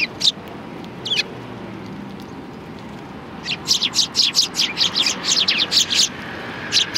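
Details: Sparrows gathering to be fed at a Tenmangu shrine, Japan, in mid-January 2020: a few isolated chirps, then a dense chattering series of rapid high notes lasting several seconds over distant low rumble.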